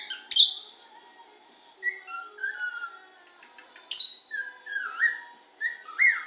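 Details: Pet bird whistles as the other birds try to sleep, giving loud sharp chirps at the start and again midway, between varied slurred and downward-gliding whistled notes.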